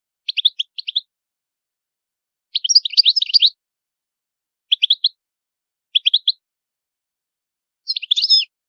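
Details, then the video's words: European goldfinch producing clusters of rapid high chirps, one longer tumbling twitter near the middle, and a dense closing burst, the groups spaced one to two seconds apart in otherwise silent surroundings. "طائر الحسون. اجمل الطيور المغردة Goldfinch. The most beautiful songbirds"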